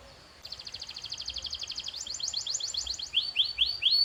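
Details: Canary singing, kept for training other canaries: a long rapid rolling trill of high pulses that shifts into faster buzzy notes and ends with loud repeated downslurred whistles about four per second.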